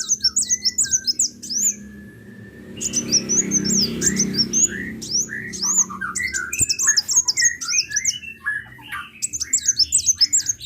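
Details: Sunbird song of rapid, high, evenly spaced chirps in bursts, with a stretch of broad noise in the middle and lower warbled notes mixed in later.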